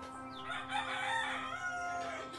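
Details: Rooster crowing heard in the background, one of several roosters near a homemade incubator; a long, strained harmonic crow lasting about two seconds over a steady low electrical hum.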